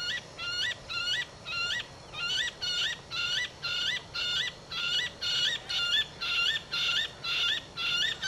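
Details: Large grey babbler (Argya malcolmi) feeding a hawk cuckoo's young, giving a steady series of nasal, rising, harmonic notes, about two per second, against a faint background hiss.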